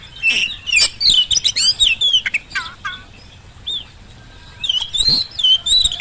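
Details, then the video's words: Oriental magpie-robin lure song to get reluctant birds to respond: a fast series of varied whistles and descending slurred notes, a short pause, then renewed whistling with sharp clicks. "kacer gacor pancingan kacer malas bunyi saat di rumah maupun di lapangan jadi cepat nyaut"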